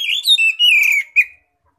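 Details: Short burst of Oriental magpie-robin ngeplong song, used to call in other magpie-robins: a bright, loud whistle that climbs then descends smoothly, closed by one clipped note.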